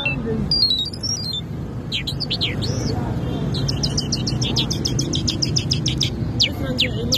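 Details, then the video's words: Singing lark, Mashadi jal of the Irani or Afghani type, opens with a fast descending series of high notes, then sharp slurred whistles and a long rapid trill of repeated chirps, with low background hum throughout. "Mashadi Jal Singing( Irani jal ) [Afghani jal Full Sining] Larks lunda jal"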